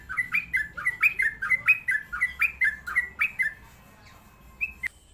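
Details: Sooty-headed bulbul, a trucukan songbird, delivering a lively series of short falling whistled notes in quick succession for about three and a half seconds, then a pause and one faint rising note.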